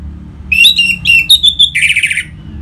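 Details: Song of an orange-headed thrush used to get caged birds singing: rapid varied whistled notes followed by a harsh buzzy burst, low hum in the background.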